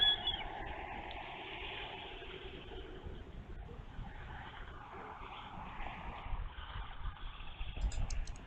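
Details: Only rumbling wind and broadband outdoor noise, with a few brief crackles near the end and no animal voice.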